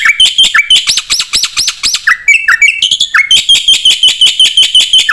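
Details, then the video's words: Nonstop 'gacor full isian' song of a Black-winged myna: quick rising whistled notes in rhythmic runs, sliding chirps, then a rapid ticking series under a steady high tone, loud and unbroken. "suara burung jalak putih gacor full isian"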